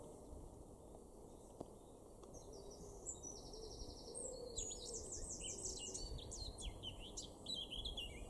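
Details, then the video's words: Male blackcap in a garden in Weener, East Frisia, northwest Germany, in April 2024, sings a quick, scratchy warble breaking into clear, fluty whistles over a low rumble of wind or distant traffic. "blackcap (male)"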